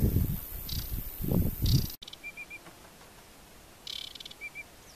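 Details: Aquatic warbler singing at the Chełm carbonate peat bogs in July 2015. Two seconds of loud low wind rumble, then short clear whistled notes in a quick run of three and a pair, with a buzzy rattling burst between them.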